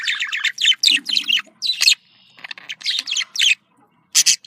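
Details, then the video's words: Budgerigar contact calls said to signal a happy bird: dense bursts of scratchy warbled chirps, a brief pause, then more chattering notes ending in a loud high burst. "Voz decomunicación.de loro australiano /sonido de llamada de periquito / se sentirá feliz"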